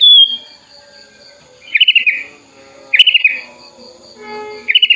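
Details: Tame, hand-raised sooty-headed bulbul in full song, opening its wings and calling to a rival, gives short, bubbly, fluttering bursts roughly every one and a half seconds over a faint steady hum.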